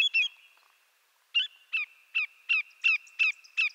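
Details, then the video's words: Greater yellowlegs: a couple of quick sharp notes, a second of quiet, then a run of loud, clear downslurred whistles spaced under half a second apart. "Greater Yellowlegs Sound"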